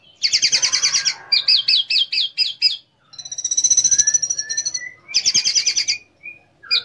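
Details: Orange-headed thrush song played to goad other orange-headed thrushes into singing; fast trilled rattles and rapid repeated wavering notes, a long high thin whistle, soft lower whistles, then another buzzing trill.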